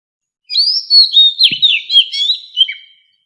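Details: White-rumped shama singing in the standard wild forest voice used to train captive fighting birds: a clear run of rich, varied whistles, sweeping slurs and quick warbled notes lasting about two and a half seconds, with a single soft low tap midway.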